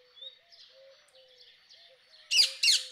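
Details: Rose-ringed parakeet letting out three strident, scratchy shrieks in quick succession after a quiet stretch of soft distant chirps and whistles.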